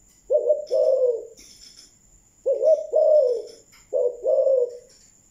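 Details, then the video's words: Malaysian-type spotted dove in thúc gù cooing: three throaty two-part coos, each a clipped lead note and a longer falling coo, with light chirps between and a faint electronic whine. "Malaysia thúc gù"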